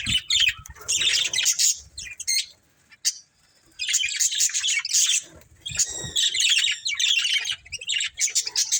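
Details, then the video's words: Pet budgerigars, a breeding pair, twitter in long runs of rapid high warbling chirps, pausing for about a second before resuming the scratchy chatter. "Beautiful Budgies Chirping Sounds"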